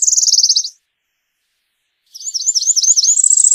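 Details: A Cerulean warbler (Setophaga cerulea) sings a very high, buzzy run of rapid notes, pauses, then gives a phrase of rising buzzy notes ending in a dry trill.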